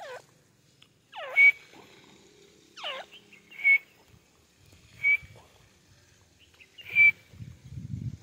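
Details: Female francolin, called white teetar, calling: short, loud, sharp notes with a steady high tone, repeated about every one and a half to two seconds. Falling, curved whistle-like sweeps come early on, and low rumbling noise at the end.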